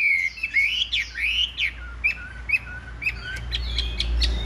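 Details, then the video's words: Chinese hwamei, large-bodied, performing a spread-feather fighting display while singing strongly: loud rising and falling whistled phrases, then sharp clipped notes and clicks, with low rumble near the end. "Bộ to đấu xòe hót rất tốt, giộng rất hay | Họat Họa Mi"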